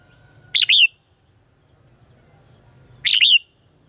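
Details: Red-whiskered bulbul lure song for contest training. Two brief, loud phrases, each of a pair of sharp whistled notes with a falling tail, come about two and a half seconds apart over a faint low rumble.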